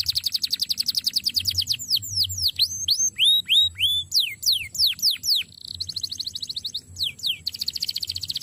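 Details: Tutoring recording of a canary: a rapid rattling trill gives way to loud falling whistles and short curved notes, then the bird returns to quick, chattering high trills.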